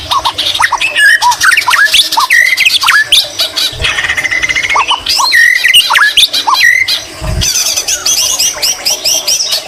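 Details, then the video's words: White-rumped shama delivering lively song mixed with greater green leafbird mimicry: a long sequence of varied sharp whistles, upward flicks and chattering bursts with brief pauses. "Murai batu isian cucak ijo Gacor Mewah"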